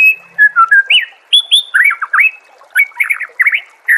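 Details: Training master of white-rumped shama song for songbirds: bursts of quick whistled notes, looping up-and-down phrases and sharp clicks in short, lively runs.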